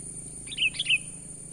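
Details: Lure call of a sooty-headed bulbul in natural voice: three short, liquid chirps in quick succession, the last slurring downward, moderately loud over continuous high hiss and soft low background hum.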